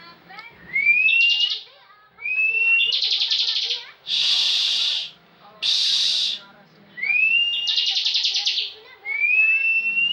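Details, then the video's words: Bar-winged prinia, a competition bird that often wins national contests, in full 'ngebren' song: thin rising whistles followed by loud buzzy trilled bursts, about six phrases with short pauses. "Ciblek ngebren full"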